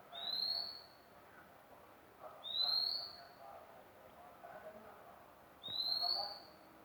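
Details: Three pure, rising whistles from a magpie-robin, evenly spaced about three seconds apart, with a low murmur of background noise.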